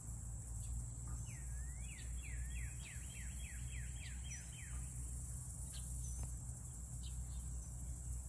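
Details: Black-bellied whistling duck in Louisiana giving a quick run of about ten thin, squealing whistles, each swooping up then down, over a steady low rumble.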